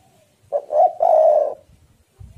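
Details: Spotted dove, an Indonesian tekukur recorded as a lure to get other doves singing, gives one loud coo phrase: two short stuttering notes then a long, rough, level coo, ending abruptly. A few faint low thumps follow.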